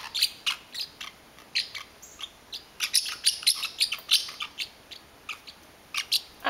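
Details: A male pet parrotlet, territorial over his blanket, angrily gives rapid, harsh chirps and squeaky bursts, about three a second, high-pitched and scratchy, as his owner touches the blanket.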